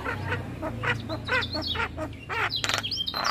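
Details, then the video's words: Male Javan myna, very vocal and bobbing its head, gives a run of short chattering notes and harsh bursts, then a higher whistled phrase near the end, over a low steady hum. "Masteran Jalak Kebo terpopuler - Jalak Kebo Jantan Super Gacor Manggut2"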